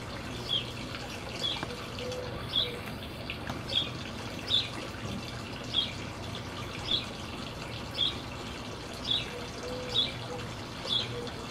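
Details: Wild Western tanagers feeding on oranges, jelly and suet at a feeder in Colorado Springs, Colorado; short high chirps about once a second, over steady rushing water-like noise and a low hum.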